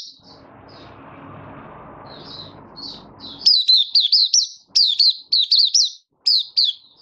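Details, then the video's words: Malaysian Oriental white-eye kept in a cage, minor moult, recorded 24 August 2023: soft scattered twitters over low background noise, then loud, rapid, high warbling chirp bursts repeated in short groups as the opening song builds. "Malaysian Mata Puteh Buka Sing"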